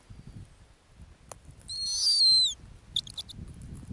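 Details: Snowy owl on its ground nest in the Arctic, a female: one shrill, high, descending whistled call lasting under a second, followed by a few dry clicks over a faint low background rumble.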